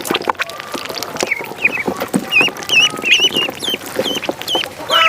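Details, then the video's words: High, curling peeps of a duckling on a pond, repeated rapidly in an uneven run, with clicks and knocks scattered through the background. "Duck Sound duckling in the pond -duck quack"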